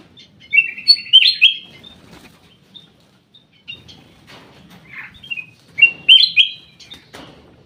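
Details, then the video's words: Black-crested bulbul singing in an aviary: short bursts of bubbly, slurred whistles near the start, again mid-way and near the end, separated by pauses with soft rustling and wing sounds. "BURUNG CUCAK EMAS \ KUTILANG EMAS SUARA MAKIN BENING"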